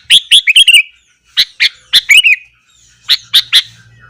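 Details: Energetic morning singing of a sooty-headed bulbul aimed at stirring up other bulbuls: three clusters of loud chirps and rolling liquid warbles with short gaps between them, plus a low faint hum.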